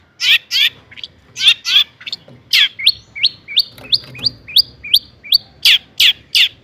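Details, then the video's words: Long-tailed shrike singing 'toet toet' to provoke rival shrikes: loud harsh rasping bursts, then a steady string of short upslurred whistles about three per second, ending with more rasps. "kicau cendet gacor toet toet AMPUH buat PANCINGAN CENDET AGAR EMOSI"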